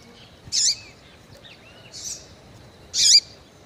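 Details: Female Double-collared Seedeater calling to arouse males: three bright, buzzy high chips, roughly one to one and a half seconds apart, each ending in a short slurred tail, the middle note softer, over quiet low background hiss.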